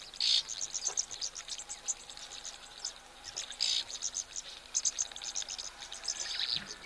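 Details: Several oxpeckers give dry, hissing, electric-sounding rattles at an African waterhole on 20 May 2024, with a drinking giraffe nearby. High, rapid bursts of short buzzy notes repeat throughout over faint background noise; the rattle signals other animals present.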